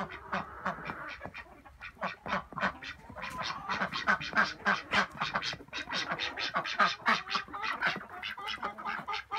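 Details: Several ducks quacking in a rapid, noisy chorus. Harsh nasal quacks overlap and repeat several times a second for about nine seconds, growing louder and denser midway.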